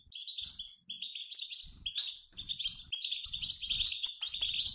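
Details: European goldfinch flock of both sexes twittering, sound used to trigger singing in males; busy high chirping and rippling trills, briefly pausing early, then growing denser and louder, with muffled low bumps beneath.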